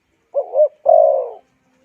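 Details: Spotted dove coo, played to rouse wild birds and train decoy doves: one phrase of a wavering two-part note followed by a sustained, slowly fading coo.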